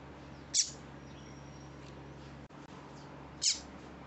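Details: Female double-collared seedeater call used to excite males: two brief, sharp, very high chirps about three seconds apart over a steady low hum.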